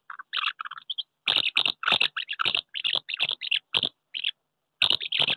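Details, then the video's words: Courting common house martins at nests under a wooden house in May, birds competing for partners and the best nest; rapid series of dry, rasping chirrups, closely spaced, with short gaps between phrases. "Mehlschwalben am Holzhaus, die Balz im Mai 2023"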